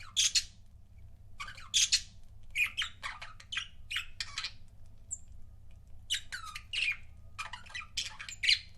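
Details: Budgie pairs kept as pets give rapid harsh chirps and scratchy warbles in uneven bursts, some notes high and bright, with brief thin whistles, against a constant low electrical hum.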